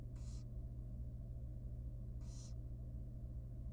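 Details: Wild barn owl nestling, very young, in a nest box at feeding time, uttering two widely spaced harsh hissing screeches about two seconds apart over a persistent low hum.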